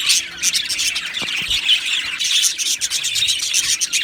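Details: A colony of Australian budgies in an aviary, singing and chirping together as a steady, busy chorus of high twittering, squeaks and warbled notes, rising and dipping in loudness, with a couple of soft thuds.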